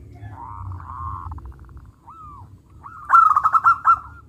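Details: Local zebra dove singing loudly and actively: a soft rolling coo trill, a short single slurred note, then a louder burst of rapid, stuttering cooing notes near the end, over a low background rumble.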